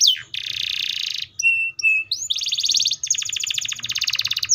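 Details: Singing canary: long harsh buzzy rattle, short flat whistles, then rapid rolling trills with closely packed notes.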